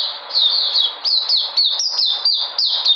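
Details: White-eye regaining its energy, 13 February 2020: a brisk run of high, thin chirps, each slurring down, delivered in a quick steady series.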